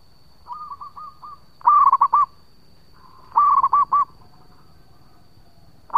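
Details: Male local zebra dove singing as a lure: soft, distant-sounding coos first, then two loud phrases of rolling, hooting coos, and a brief start of another at the end, over a faint high whine.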